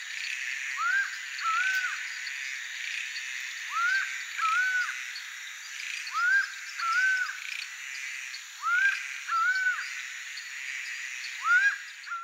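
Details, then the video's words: Laughing falcon, Brazilian acauã, a bird of bad omen in folklore, calling in paired hoarse notes that rise then fall, pairs repeated every two to three seconds over a steady whine of insects. "LAUGHING FALCON singing (HERPETOTHERES CACHINNANS), ACAUÃ Song bird of bad omen"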